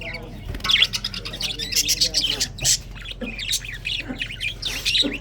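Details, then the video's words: Morning chatter from budgies on February 24, 2024, dense sharp high chirps and scratchy squawks coming in rapid clusters, with softer lower warbling notes underneath. "February 24, 2024 Morning 🌄 chirping sounds ! best parrot 🦜 beautiful"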